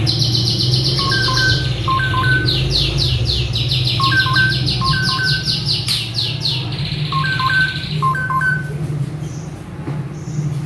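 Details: Agitated male Asian pied starling in full mimicry song: a long rattling buzzy chatter runs on while paired soft whistled notes repeat every couple of seconds, with low hum beneath.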